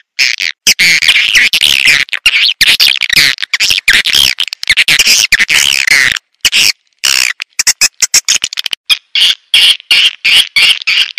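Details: Swiftlet lure call made of harsh, high twittering chirps in choppy bursts, cut by sudden short silences that give the sound an edited, stuttering rhythm.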